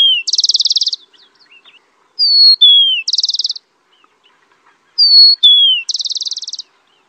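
A rufous-collared sparrow sings three times, each song one or two clear slurred whistles dropping in pitch, then a fast buzzy trill; otherwise quiet.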